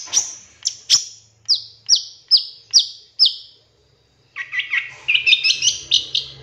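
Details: Long-tailed shrike master training song with 'tembakan' mimicry fill: a series of sharp, high, descending whistled notes repeated about every half second, a short silence, then a fast jumble of varied chirps and warbles.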